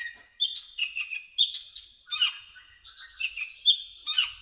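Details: Tutor song of an olive-backed sunbird (kolibri ninja): varied high twitters, short whistled slurs and dropping notes strung together quickly, with brief pauses between phrases.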